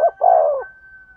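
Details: Spotted dove coo used to stimulate a male: a brief note followed by a single long, soft, slightly falling coo, with a thin steady tone lingering behind it.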